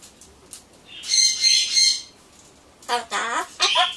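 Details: Pet Solomons corella murmuring to itself before pumpkin: faint soft ticks, then a drawn-out raspy screech and a pair of short, wavering speech-like syllables.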